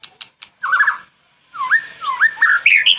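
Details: White-rumped shama training song for morning and evening: a few sharp ticks, then warbled mid-pitched slurred whistles rising at the end into higher notes.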